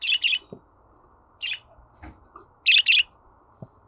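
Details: Budgerigar sounds used to encourage a pet budgie to sing: short bright chirps in pairs, a few sparse notes, then a quick double chirp, with faint clicks and quiet gaps between.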